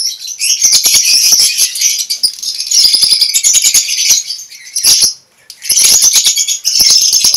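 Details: Captive lovebirds bred in a colony cage give a dense, shrill chattering chorus of high chirps and squeaks, nearly continuous with a brief lull near the fifth second, laced with sharp clicks and rattling knocks.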